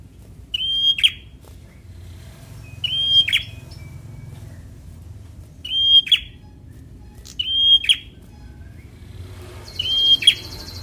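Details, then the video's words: Semi-young Bar-winged prinia in fighter song, used to stimulate lazy birds to sing. Five repeated phrases of a flat high whistle closing with a crackling buzzy note, roughly every two seconds. A brief buzzy hiss at the end. "Prenjak Semi Muda fighter || Rangsang bunyi burung Malas bunyu"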